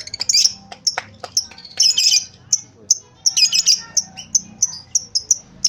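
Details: Lovebird chattering briefly: harsh squawky notes mixed with high sharp chirps, repeated at uneven intervals about twice a second.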